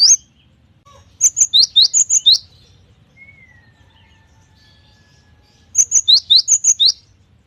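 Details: Varied song of a gacor cinereous tit (gelatik batu): two bursts of rapid, piercing, high see-saw notes, each about seven notes over a second, separated by a quiet gap with a short faint whistle.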